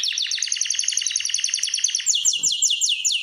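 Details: Canary in a breeding room where birds are readied for mating, singing a fast even trill of rapidly repeated high notes for two seconds, then switching to a slower series of looping, falling whistled notes.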